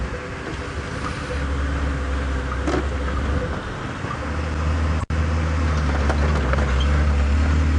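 Low steady vehicle engine hum dominates, with faint rattles and a brief cut near the end; no animal voice is heard.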